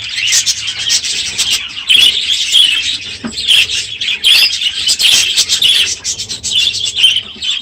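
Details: Aviary budgerigars at the close of the breeding season, calling loudly in the morning; a thick layer of shrill chirps and twittering rises and falls in waves, punctuated by sharp squeaks.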